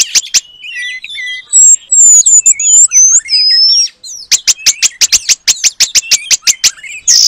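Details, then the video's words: Oriental magpie-robin performing paradise flycatcher mimicry as song training material. Scattered short whistles and high sweeping notes lead into a long fast train of crisp clicking pulses. "Kacer Gacor Materi Burung Surga Ekor Panjang"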